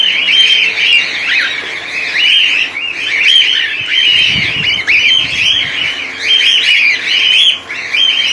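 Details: Many cockatiels in a colony, 2019: constant overlapping high chattering and chirping from the flock, forming a steady noisy chorus with a faint low hum beneath.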